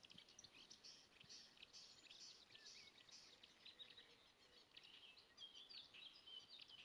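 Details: Spring-returned marsh warbler in Kreis Plön, Schleswig-Holstein, on 23 May 2020, singing with only a few imitations: a dense, rapid stream of high scratchy notes, buzzes and short whistles, soft and continuous over background hiss.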